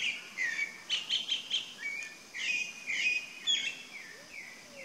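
A chalk-browed mockingbird sings a varied run of bright, high chirps, whistles and short slurred phrases, several notes per second with brief pauses, over faint background hiss.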